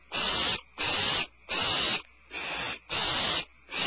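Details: Mother barn owl returning with a supplemental rat at the Starr Ranch nest, February 22, 2012. A steady series of six harsh, noisy hisses, each about half a second long, comes roughly every 0.7 seconds.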